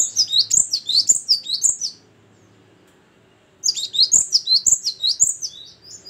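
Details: Great tit, the gelatik batu, singing clear and vigorously: two bouts of quick, high-pitched paired whistles, each note falling, separated by a silent gap of nearly two seconds.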